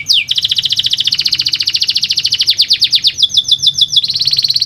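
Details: Singing canary, meant to stir lazy canaries into song: a continuous high trill that shifts speed, with brisk buzzy rolls and then a steadier, faster roll at the end.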